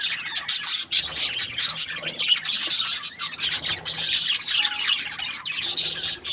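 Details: Lively budgie twittering: scratchy, buzzy warbles and rapid squeaky notes in uneven bursts, almost unbroken throughout.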